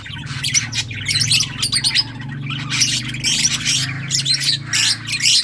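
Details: A group of lovebirds of assorted colours giving continuous high, buzzy chirping and squawks in clustered bursts over a faint low hum.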